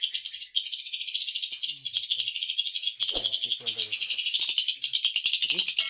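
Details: Inside a swiftlet house's hatching room, a crowd of swiftlets gives rapid, rattling clicks layered over steady high chirping, pulsing several times per second, with a few faint human sounds.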